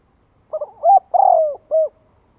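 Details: One clear phrase from a spotted dove provoking rival birds: paired soft opening notes, a rising coo, a long descending coo and a short final note, against silence.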